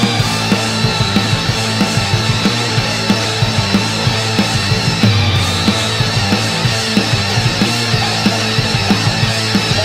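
Loud, heavy rock music with pounding drums and distorted guitars fills the whole recording.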